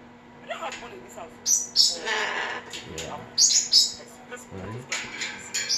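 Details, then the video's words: Captive umbrella cockatoo in a home, imitating a man's stomach noise as "Hiiii". Shrill, high squawks come in short bursts over several seconds, mixed with a man talking to the bird. "Daddy's stomach making noise"Hiiii" my funny umbrella cockatoo"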